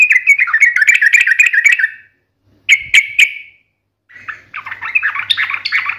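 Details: Gacor yellow-vented bulbul singing a sharp, combative ngalas-style song: a long run of fast, jerky warbled notes, then two loud chirps, then another bubbling phrase.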